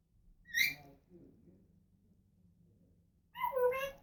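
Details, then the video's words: Female pet African grey parrot giving a short, bright, high chirp, then after a pause a longer, nasal, harmonic call that drops slightly in pitch. "African Grey Talking and Making Noises"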